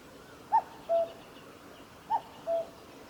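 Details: Common cuckoo song recorded 15 July 2019 at the Kitafuji Maneuver Area, with two clear phrases, each a brief higher hooting note followed by a lower, longer, steady one, spaced about 1.5 seconds apart against quiet hiss.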